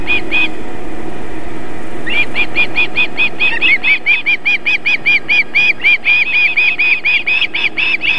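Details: Female osprey at her nest in Võrumaa, South Estonia, feeding chicks on the evening of 31 July 2021, near a fish farm and river. Low rumbling background, then a rapid run of sharp, high, repeated whistled chirps, about two per second.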